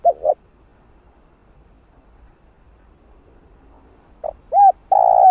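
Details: Spotted dove calling, used to lure and train a decoy bird: a pair of short coos opens, followed by a long quiet gap, then two brief notes, an arched hoot and a sustained mellow coo close the phrase.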